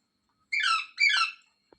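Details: Pair of harsh, grating screeches from a rose-ringed parakeet kept indoors, the second note rising sharply at its start before sliding down, then a faint tap after a short silence.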